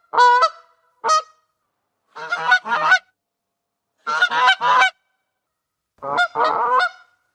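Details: Honks from a goose: a sharp single honk, a short one, then three paired or tripled brassy bursts spaced roughly every two seconds, with clean silence between.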